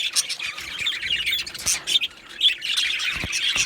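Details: Two male Australian budgerigars chattering with dense, scratchy high chirps and squawks, bursts of warbling broken by brief pauses and a few sharp clicks.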